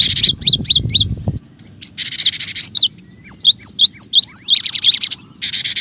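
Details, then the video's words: Lively cinereous tit calling used as a trapping lure for other birds. Rapid series of sharp, high, hooked whistled notes, broken by bursts of harsh scratchy chatter, with a faint low rumble at the start. "suara pikat Burung gelatik batu gacor dan cocok juga buat pancingan gelatik batu yg susah bunyi"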